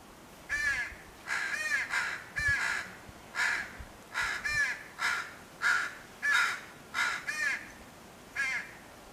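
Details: Crow fledgling crying and arguing with its father, probably over food, with adult caws mixed in: harsh, nasal caws with strong harmonics, about ten calls in quick, uneven succession, some doubled, over a quiet background.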